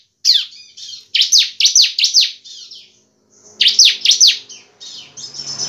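Bar-winged prinia in loud, high song: bursts of sharp, quickly repeated downslurred notes, with short pauses between phrases.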